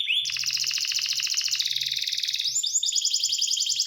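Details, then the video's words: Canary holding a dense, buzzy rolling trill that rises in pitch and continues as a high rapid series; a low droning hum runs underneath. "The Voice of the Canary Bird, singing a super relaxing bird melody"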